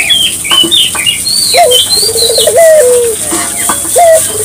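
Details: Barbary dove in full song, played to stir local doves into singing: one low trilled coo ending in a long falling note, with many higher chirping birds around it and a constant high-pitched hum.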